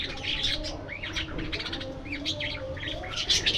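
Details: Aviary budgerigars, flying and interacting, give rapid chirps mixed with short rising and falling whistled squeaks in a lively chatter over a low background hum.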